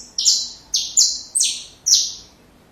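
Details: Saffron finch song for training young birds: five high, buzzy notes, each dropping in pitch and fading, spaced about half a second apart.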